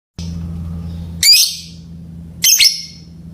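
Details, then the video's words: Lovebird giving two loud, harsh, shrill squawks about a second apart, over a steady low electrical hum. "Suara Burung Lovebird"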